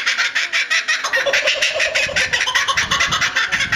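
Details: Laughing kookaburra at Higashiyama Zoo in Japan, recorded 25 May 2011, giving a rolling laugh of quick, harsh, rhythmically repeated hoots and cackles, loud and steady throughout, with faint low rumbling beneath.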